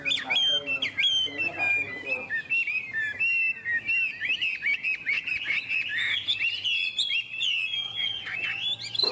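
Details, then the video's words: Chinese hwamei, a caged songbird offered by a Vietnamese dealer, pours out a continuous loud, varied song of rich whistles, slurred trills and quick mimic-like notes for over nine seconds with barely a pause. "Họa mi đẹp hót hay"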